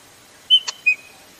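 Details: A female Chopi blackbird's call, said to excite male birds: a clear high whistle, a sharp dry chip, then a second slightly lower whistle, all within half a second, against a quiet background.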